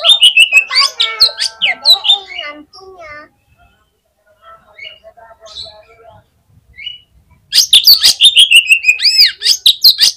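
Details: Fighter Oriental magpie-robin at a song contest, its song said to quickly rouse other magpie-robins on the hanging poles: loud bursts of rapid sharp chirps and slurred whistles open and close the passage, with softer scattered notes between.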